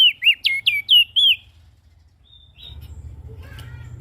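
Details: Ashy prinia calling energetically as a lure for small birds: six loud, quick, curling notes in a row, then quiet with a soft, distant chirp and a low background rumble.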